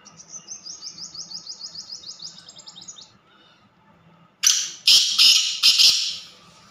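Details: Black francolin, or kala teetar, calling with a loud series of four harsh, scratchy, broadband notes in quick succession, preceded by another small bird's rapid, high, evenly repeated trill lasting about three seconds.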